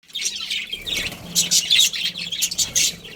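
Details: Budgerigar colony, kept as a breeding group of cage birds: many overlapping high, scratchy chirps and squeaky chatter in uneven bursts, with a faint low steady hum beneath.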